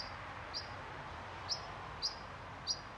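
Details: European pied flycatcher parent near Sundsvall, Sweden, on 20 June 2023, giving four short, sharp, high alarm notes at uneven intervals to warn its nestlings in a nest box to stay quiet; steady background hiss.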